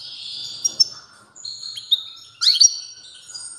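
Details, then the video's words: European goldfinch singing strongly: a few high drawn-out whistled notes, then a sharp rising twitter near the end, with gaps of quiet between phrases. "تغريد قوي لطائر الموقنين"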